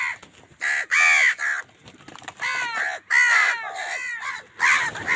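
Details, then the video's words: Crows squabbling with wild birds over food give loud, rough, overlapping caws, long drawn harsh calls following one another almost without pause in a dense, noisy chorus. "Wild birds fight with crows for food | Crow bird unity anger and sund | Angry kawa ki awaaz"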